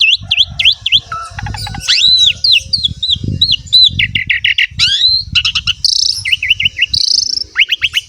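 Asian pied starling in a rich, nonstop medley of clear rising whistles, rapid buzzy trills and chattering notes, changing phrase every second or so; low background rumble.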